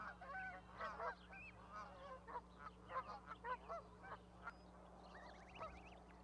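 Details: Goslings and parent geese on an osprey nest platform, Charlo, Montana, 12 May 2020: bursts of nasal honks about every half second, then a quick rising series of higher notes near the end.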